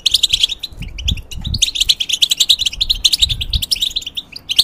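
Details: Caged European goldfinch in molt pouring out fast tinkling twitters and short buzzy trills in a near-continuous song, soft low thuds under it.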